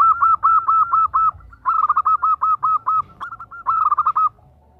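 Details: A female perkutut, or zebra dove, calls to a male in three loud bursts of rapid, evenly pitched short notes, each run lasting around a second with brief gaps between.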